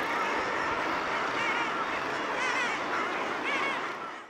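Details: A northern fulmar couple on their cliff breeding ground give harsh, guttural cackling that runs on without pause, with a few wavering higher notes, over a steady rush of wind or surf.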